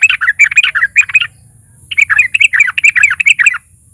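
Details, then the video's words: Sooty-headed bulbul in full, combative song, used as a lure to provoke other bulbuls: two bursts of fast, bubbly chattering notes, rising and falling, separated by a half-second pause. "pancingan TRUCUKAN GACOR fighter NARUNG"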